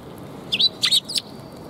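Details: Short, bright sparrow chirps at a Tenmangu shrine, 2 March 2021: three quick notes in about a second, each slurred and high, over a soft background hiss.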